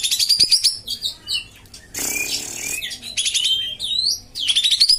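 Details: Common iora (kapas tembak), tutor recording for a quiet caged bird: rapid rising trills at start and end, with a loud noisy hiss burst in the middle and scattered chirps.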